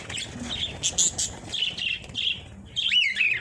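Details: Breeding lovebirds make scratchy high chirps and short buzzy notes, ending in a sharper, rising-and-falling squeal.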